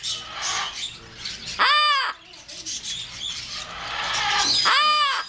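A yellow-naped amazon gives two loud, harsh, arched caws about three seconds apart, over a low background hiss and faint room chatter.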